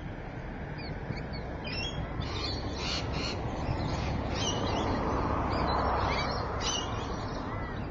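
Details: Rainbow lorikeet recorded at Evans Head, 26 May 2012 at 3:45 pm: a steady chatter of shrill, buzzy screeches, several per second, continuing for about eight seconds over a low background rush.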